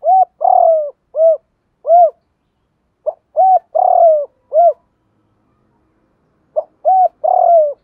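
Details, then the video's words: Coos of a spotted dove used to stimulate birds in training, with male and female voices: phrases of three or four soft hooted notes, one drawn out and falling, repeated about every three seconds, separated by silent pauses. "Tiếng Cu Gáy Giọng Hạp BổI [ GÁY GỌI,KÍCH BỔI HIỆU QUẢ ]"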